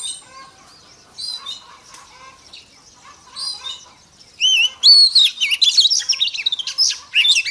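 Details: Oriental magpie-robin female in the forest-voice style, used to rouse males. Soft, intermittent chirps give way to loud, rich, swooping whistles and rapid ornamented notes in the second half.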